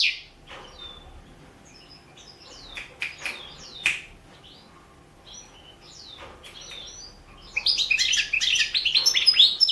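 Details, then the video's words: Goldfinch singing for an internet world championship in goldfinch song, 2017 entry: sparse, quiet high chirps and short buzzy notes for several seconds, then a loud, rapid run of liquid twittering and trills. "Pesma štiglića 002/ 2017 Ivana Mladenović World championship in Goldfinch Song 2017"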